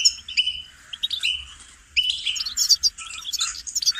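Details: Goldfinch melody for song training: a few sweet whistled notes and twitters, a short quieter gap, then a lively burst of rapid tinkling chatter and high chirps.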